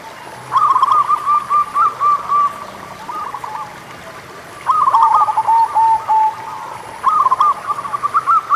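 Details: Local zebra dove cooing as a prompt for doves reluctant to sing: three long, rippling phrases of rapid staccato coo notes, separated by short quiet gaps, with light background hiss.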